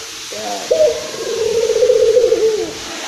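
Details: Excited local Barbary dove from Indonesia, used to lure other doves: a single drawn-out coo starting with soft lower notes, then a jump into a long, even, vibrating trill lasting about two seconds.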